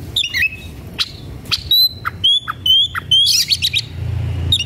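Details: Aroused Oriental magpie-robin looking for a rival to fight. Clear, high whistled notes repeat about twice a second, mixed with harsh chirps and squawky bursts, over low background rumble.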